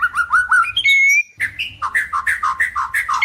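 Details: Breeding-condition white-rumped shama singing a mating lure song: quick rising whistled notes, a long pure sustained whistle, then a run of evenly repeated chirping phrases over a low background hum.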